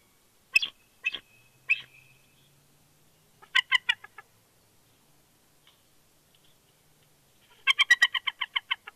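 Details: Bald eagles vocalizing at the nest in Big Bear, California, during a nipping and beaking exchange between the pair. Scattered sharp chirps come first, then a quick chattering series of high notes near the end.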